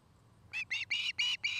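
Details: Osprey at a nest in Charlo, Montana, filmed by a nest cam on 09-05-2018 in the afternoon; five brief, evenly spaced whistled yelps in quick succession.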